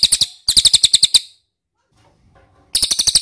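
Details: Quick, high ticking chirps from an ashy tailorbird, used as a lure. Two bursts are followed by over a second of near silence with faint low noise, then the chirping resumes.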